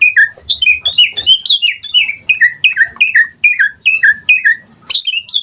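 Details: Lively Asian pied starling song packed with varied content: a steady run of bright, slurred whistles, each dropping in pitch, repeated in rapid succession for several seconds.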